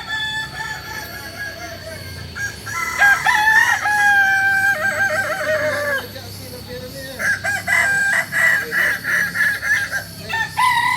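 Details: Native Solok chicken of the Kokok Balenggek breed from West Sumatra, prized for a stepped crow of three to nineteen tiers. Two long crows, each of level tones stepping downward, are separated by a short pause, with low background hum.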